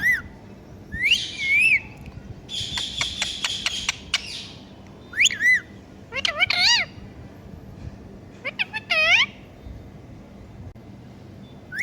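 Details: Talking parrot imitating a cat's meow: looping, wavering whistled notes, a harsh buzzy squawk in the middle, then arched meow-like calls and a final burst, on a faint hum.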